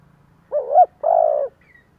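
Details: A single two-part coo from a spotted dove used as a decoy, sung in 'giọng thổ' style to lure others: a brief rising-falling note, then a sustained mellow hoot.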